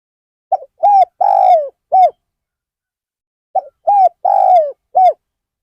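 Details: Decoy spotted dove at Ban Nong Hin, used to lure wild birds, repeats two four-note coo phrases: short soft note, rounded coo, long descending coo, rounded ending coo. Silence around the calls.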